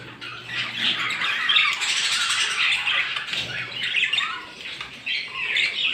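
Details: Morning chorus of small birds, many overlapping high chirps and twitters in an uneven, busy stream that swells and fades.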